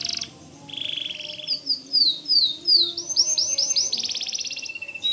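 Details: White canary in strong song, intended as tutor song for white-rumped shamas: a brief high buzz, a lower rolling trill, then downward-slurred whistles and quick arched chirps in series.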